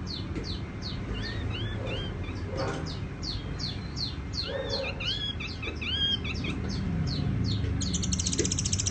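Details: Tiểu mi songbird singing a fast run of clear, arched whistled notes, some rising and falling sharply, with a few lower mellow notes mixed in, over a steady low rumble and faint hiss.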